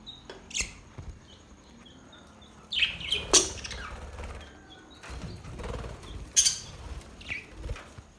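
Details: Budgerigars, said to be happy, make sparse sharp chirps and brief squeaky notes at irregular intervals, several seconds apart, with wing flapping and low rumbling noise between calls.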